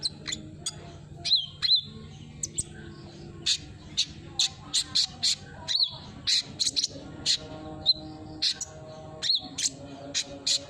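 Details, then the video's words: Olive-backed sunbird lure sound to get a silent bird singing: rapid bursts of piercing, high, clipped chirps with a few slurred whistles, in irregular clusters over faint background hum. "suara burung kolibri"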